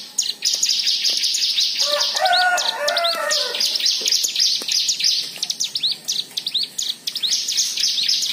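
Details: White-eye song used as a lure to prompt other white-eyes to sing: a dense, continuous stream of high, rapid twittering chirps and upswept whistles, with a brief lower warbling phrase in the middle.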